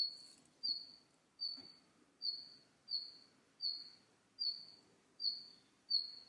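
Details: Wild red-flanked bluetail repeating a single high, thin whistle that trails off, given steadily about every 0.75 seconds for eight notes, with a soft click and low ambient hiss behind.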